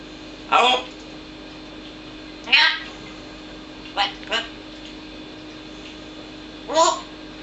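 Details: Manus, a parrot that never stops talking, talks in short, raspy, voice-like bursts, five utterances spaced unevenly over several seconds, including "I kill you" and "doei, doei", over a steady low hum indoors.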